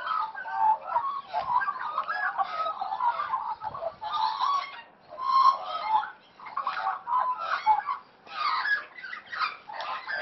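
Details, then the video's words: Wild Australian magpies playing together; bursts of harsh chattering and warbled, gurgling phrases come in waves of a second or two, separated by short quiet gaps. "Australian Magpies Playing"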